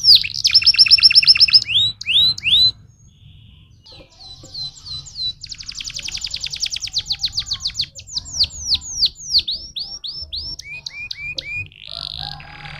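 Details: Stimulating song from a canary: a loud rapid stuttering tour, a brief pause, then quick even chips building into a run of descending sweeps and softer low whistled notes at the end.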